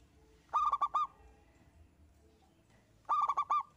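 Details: Lone local zebra dove singing eagerly as a prompt for other birds; two clear phrases of five fast, ringing, stuttered coo notes roughly two and a half seconds apart, quiet hum beneath.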